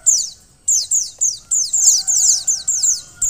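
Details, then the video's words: Calling female white-eye used to stimulate a male bird: short bursts of thin, very high chirps falling in pitch, repeated roughly every half second after an opening pause, with a faint droning tone behind. "pleci betina untuk mempercepat buka paruh pleci jantan"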